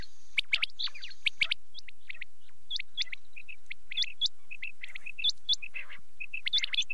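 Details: Quail calling at night, a dense chorus of short bright chirps and quick upward-flicking whistled notes, overlapping and repeated irregularly, several birds calling at once against a quiet background.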